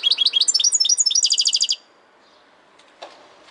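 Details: Goldfinch song opening at once with a rapid run of high, tinkling twitters and short trilled notes lasting nearly two seconds, followed by near silence and one faint soft click.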